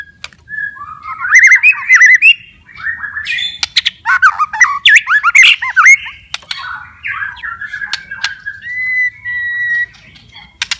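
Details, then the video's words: Loud, vigorous White-rumped shama song used as therapy for lazy, stressed shamas: dense sequence of rapid slurred whistles and harsh chatter, ending in a long steady whistled note. "PANCINGAN & TERAPI,, MURAI BATU MALAS BUNYI,, STRES,, DENGARKAN OCEHAN INI,, PASTI GACOR LAGI"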